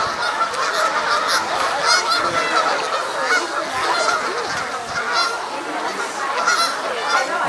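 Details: Many Canada Geese in a skirmish at Sapsucker Woods, Ithaca, New York, on 17 September 2016, the most ever seen there, some locked together fighting, honk loudly and continuously in overlapping harsh nasal calls, a dense agitated chorus without pause.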